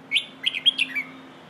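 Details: One bright phrase of Red-whiskered bulbul song in the 'phleng ho' style, played to teach young birds: an opening whistle, then a fast string of four or five liquid slurred notes ending in a descending glide, over low hiss.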